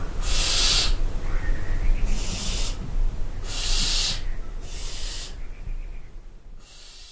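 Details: Barn owls screeching at night from the dovecote of the castle at Barbirey-sur-Ouche: a series of five raspy hissing shrieks, alternating stronger and weaker, each under a second, with a steady low background drone.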